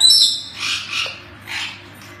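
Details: Hyacinth macaw giving harsh, raspy squawks: a brief high note, then three hoarse broadband bursts roughly half a second apart, fading toward the end over a low steady background hum.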